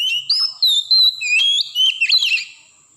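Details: Forest Oriental magpie-robin pouring out quick, clear whistled phrases that rise and fall, ending in a scratchy warbled flourish before fading.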